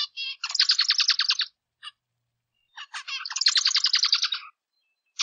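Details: Zebra finch song in two similar bouts, each a few clipped notes then a loud rapid stream of buzzy, nasal pulses, separated by over a second of near silence.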